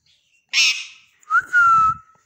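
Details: Pet rose-ringed parakeet, a ring neck from Pakistan: one harsh, rasping squawk, then after a short pause a clear sustained whistle that rises briefly and holds steady before cutting off.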